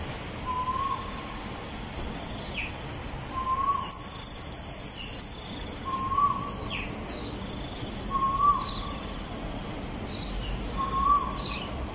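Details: Repeated rising 'ko-el' notes from an Asian koel, five in twelve seconds, evenly spaced about every two and a half seconds. A quick run of high thin chirps from another bird comes mid-way. Bukit Batok East, 14 September 2021.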